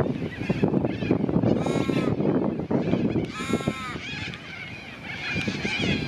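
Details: An Australian wood duck in Perth, Australia, filmed while feeding, gives two drawn-out, nasal mewing calls about two seconds apart, over steady low rumbling background noise.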